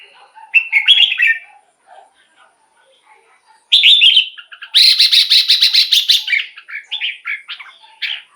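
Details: Caged red-whiskered bulbul song played to excite birds or serve as a decoy: a brief warble, a quiet stretch with faint notes, then a loud run of fast buzzy chatter followed by clear whistled phrases.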